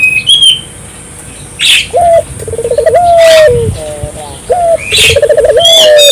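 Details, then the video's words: Barbary dove calling strongly as a lure for local doves; after opening chirps from other birds, two rippling coo phrases each ending in a long sliding note, with bursts of rustling noise between. "suara burung puter gacor,merangsang burung puter lokal ikut gacor"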